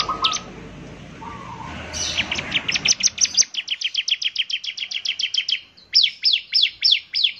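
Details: Bar-winged prinia starting after a noisy stretch, then a rapid, accelerating chain of high, downslurred ticking notes, ending in slower, separate sweeping calls.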